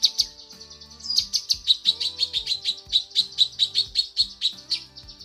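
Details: Female cucak kinoi leafbird calling for the male: a lively, evenly spaced series of high, bright chirps, roughly four per second, with faint low tones in the background.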